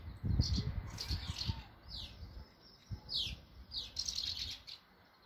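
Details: Many swallows fluttering around a nest with chicks in Bulgaria; short, sharp, descending high chirps come in quick bursts, several overlapping, over low rumbling noise early on.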